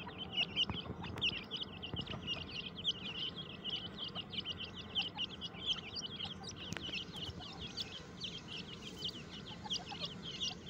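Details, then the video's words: Many caged grey francolin chicks in breeding season, active and eating. Their thin, high chirps repeat rapidly and continuously, with occasional sharp clicks and a faint low hum behind them. "teetar ke bache ki awaz"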